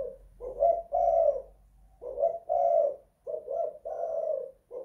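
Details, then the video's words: Spotted dove kept in a house, calling in cooing phrases of two short notes then a longer one, low and hoarse, phrases about a second apart. "Tekukur kuk 2 / guk 1 in the house"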